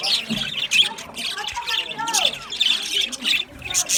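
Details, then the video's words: Budgerigars chirping in an aviary: clustered shrill squawks and tweets, mixed with lower warbled notes that bend up and down, from several birds calling at once. "Budgie chirping sound | Budgie parakeet singing | Budgie aviary sound"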